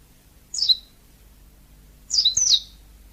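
A yellow-fronted canary gives three brief, high, down-slurred chirps: one alone, then a quick pair about a second and a half later, with quiet between.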